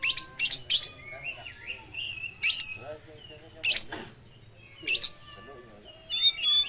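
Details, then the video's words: Speckled young oriental magpie-robin in full song with learned lovebird sounds, used as a lure for other magpie-robins; rapid triple bursts of high squeaky chips, then spaced shrill notes and gliding whistles, with faint low voices underneath. "kacer trotol habis mambung nelan lovebird"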